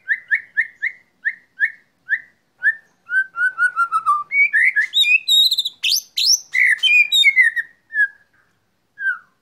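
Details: White-rumped shama sung while set out sunning in the afternoon: a run of clear whistled notes repeated about twice a second, sliding lower, then a burst of varied sharp rising whistles and trills before slowing to single notes.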